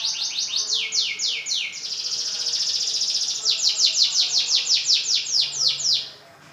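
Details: A large-bodied F1 kemayoran canary in full, lively song: a rapid series of loud, high, downward-sweeping whistles, then a sustained buzzy trill, then more fast repeated descending sweeps before it stops.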